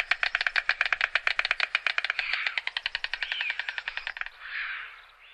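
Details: White stork (Ciconia ciconia), bill-clattering.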